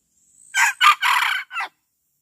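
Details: Decoy male red junglefowl gives a single crow. A brief faint lead-in is followed by three strong raspy syllables, the middle one longest, then a short cut-off final note. Nothing else is heard.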